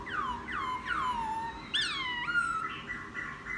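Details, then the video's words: Wild-caught laughingthrush, ten days kept, singing after its bath: loud descending whistled slurs, a sharp rising note, then steady repeated level whistles. "Khướu bổi hót gió ( chuyện kích bổi hót cực sung"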